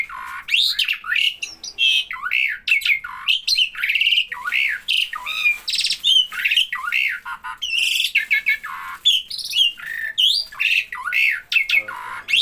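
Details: A starling calling whenever people are near gives a dense, nonstop stream of raspy squawks, buzzy notes and swooping slurred phrases, rapidly alternating harsh and tonal elements.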